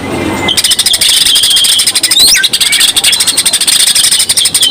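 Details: Greater green leafbird 'isenan' song for drawing other birds to sing: steady dry pulsed chatter over a thin high tone, with a few quick whistled sweeps in the middle.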